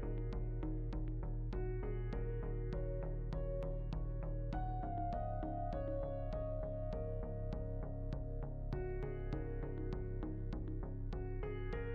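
Only soft ambient music plays, with steady low synthesizer chords and a regular plucked beat, and no animal calls.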